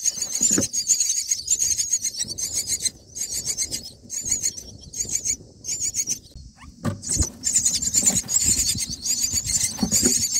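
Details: Myna chicks on day nine in the nest, being fed black crickets by an adult, give a continuous harsh high hissing wheeze in pulsing bursts, with rustling and low thumps in the nest.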